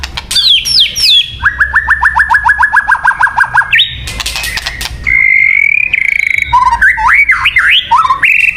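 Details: White-rumped shama song used for luring birds: varied loud whistled phrases, a fast run of about fourteen repeated descending notes, then sweeping rising and falling whistles and rapid clicking trills.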